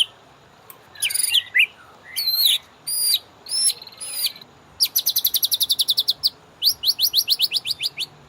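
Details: Master song of a white-rumped shama for training caged birds: rich, looping high whistles followed by long, rapid series of sharp repeated notes, clear and loud against near silence.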